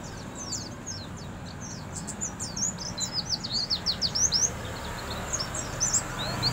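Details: Oriental white-eye singing in the morning, a fast, very high twittering of thin, sliding chirps in bursts, over a low rumbling background.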